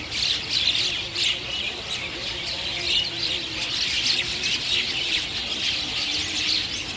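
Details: Busy chatter from chestnut-tailed starlings, rapid squeaky and rasping notes overlapping constantly, with a few brighter whistled chirps breaking through and a faint low hum behind.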